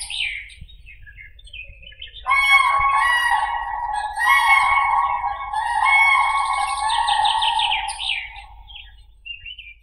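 Common crane giving loud, rolling, bugle-like trumpeting that runs for several seconds, with small birds chirping faintly in the background.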